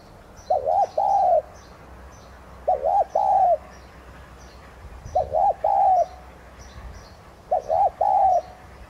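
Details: Decoy Spotted dove (Streptopelia chinensis tigrina), Vietnam, repeating its 'thúc gù' coo to stimulate singing. Four regular phrases, about every 2.3 seconds, each a clipped double hoot and a drawn-out mellow coo, over faint small-bird chirps.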